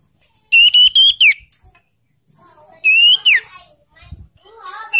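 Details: Young sirtu singing, a recording used to coax caged birds into singing: two bursts of loud, clear whistled notes rising and sliding, about two seconds apart, with softer chattering and warbling between them.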